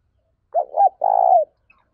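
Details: A 2021 lure spotted dove, kept for training and exciting other doves, delivering a short wavering double coo and then a drawn-out throaty low note.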